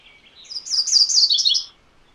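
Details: Song of a MacGillivray's warbler: a soft introductory note, then a bright, rapid chain of rich slurred phrases building in loudness and ending on slightly lower notes, about one second long, with a quiet background.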